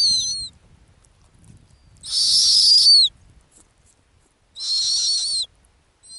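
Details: Snowy owl, female, on her ground nest in the Arctic. Harsh whistled screeches with falling ends repeat roughly every two and a half seconds, loud and rasping, with a quiet gap between calls.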